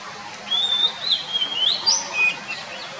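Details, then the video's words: Wild white-rumped shama song, other birds also singing nearby: a rich, fluid phrase of clear whistles that rise, dip and warble at high pitch for about two seconds, ending on a lower sweet note, with soft background hiss. "KICAU BURUNG KACER DI ALAM LIAR"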